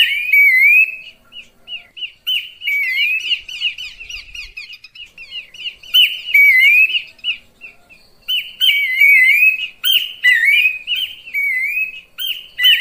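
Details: Horsfield's babbler; lure call; attracting other birds of its kind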